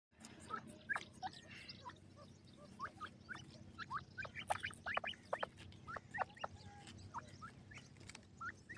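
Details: Grey francolin chicks feeding in a forest. Many short, sharp peeping notes, some rising and some falling, pour out in a quick irregular stream over a low, steady background hum.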